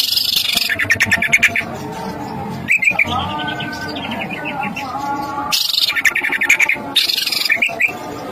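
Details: Greater green leafbird song used as bait to excite other birds: fast chattering bursts, then a falling series of bright whistled notes and more chatter, accompanied by constant background music.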